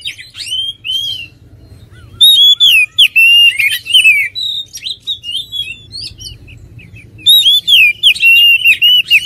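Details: An oriental magpie-robin sings in bursts: a short opening phrase, a loud flowing sequence of fluty, bending whistles, a gap of softer notes, then a final rapid whistled flourish.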